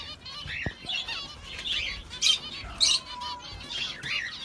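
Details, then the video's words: Sparrows (chittu kuruvi) chirping in a busy, overlapping chatter of short bright notes, roughly two per second, with a couple of sharper, louder chirps standing out. "birds spectacular sounds | chittu kuruvi"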